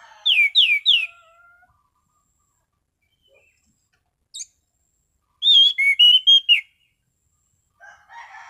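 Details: Orange-sided thrush singing calmly in the clear ngeplong style. Three fast descending whistled slurs, a lone thin high note, then a five-note phrase of warbling whistles, followed by a soft scratchy sound.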